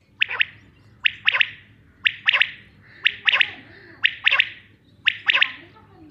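A male common quail gives its liquid three-note 'wet-my-lips' call, one short note then a quick pair, repeated about once a second over a quiet background.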